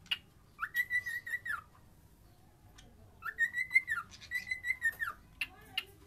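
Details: Cockatiel singing long level whistles that rise at the start and drop at the end, two phrases separated by a pause, with soft chirps and clicks around them.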